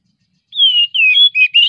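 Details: Oriental magpie-robin in breeding condition, its song used to stimulate other birds to sing: a loud clear whistled phrase, a long slightly falling note followed by shorter warbled notes, all high pitched with a silent background.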